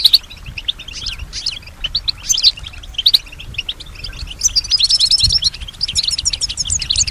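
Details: Singing European goldfinch kept at home, described as mimicking surrounding sounds; scattered separate chirps and short twitters at first, then a buzzy trilling phrase followed by fast liquid twittering.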